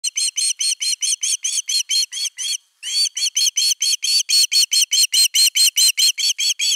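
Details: Osprey defending its nest, recorded on 31 August 2021 by a nest camera: an unbroken run of high, sharp whistled notes, each slightly arched, about two per second-plus, with one brief break near the middle.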